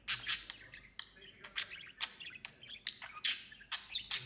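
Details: Talking budgerigar in training, producing a continuous jumble of raspy chirps, clicks and squeaky notes, with a faint low hum beneath.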